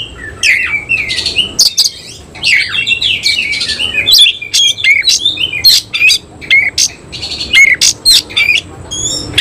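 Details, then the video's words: Oriental magpie-robin, semi-Cililin type, in tail-spreading display song. Quick sweet whistles alternate with sharp ticking clicks in choppy bursts, with short breaks between phrases. "Kacer langsung NEMBAK NGOBRA BUKA EKOR || KACER SEMI CILILIN"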